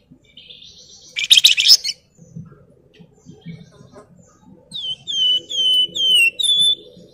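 A Javan tesia gives a harsh, scratchy burst, then a run of high, clear whistles with quick downward slurs, about five notes in two seconds over faint low rumbling.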